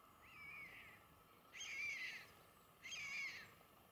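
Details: Group of spotted redshanks foraging in front of a bird hide at Inlaag Keihoogte near Wissenkerke, occasionally catching shrimp; three high whistled calls, each slurring slightly downward, about a second apart, the first fainter; soft background hiss.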